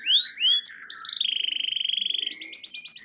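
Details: Canary singing in gacor style, used to prompt reluctant canaries to answer: two rising whistled notes, a sustained buzzy trill, then rapid high repeated chirps, clean with no background noise.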